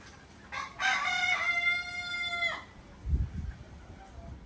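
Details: Ayam Cemani, an entirely black Indonesian chicken breed, crowing: a loud, strained, harmonic cock-a-doodle-doo held for about two seconds, followed by low thumps and background noise.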